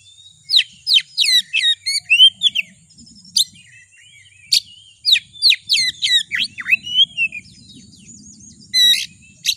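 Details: Oriental magpie-robin lure song aimed at rousing a kacer: long, rich bursts of fast whistled and chattering notes, sweeping slurs and harsh calls with brief pauses, over a steady high tone and soft low rumble.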